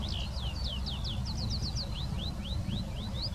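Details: Eurasian skylark singing in the Wittlicher Senke: a fast series of clear, sharply slurred whistled notes, first descending then rising, about four per second, over a steady low rumble of wind or distant traffic.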